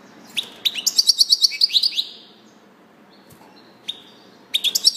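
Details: Goldfinch twittering: a rapid string of about a dozen bright, liquid chirps, a quiet gap with a few soft notes, then another burst begins.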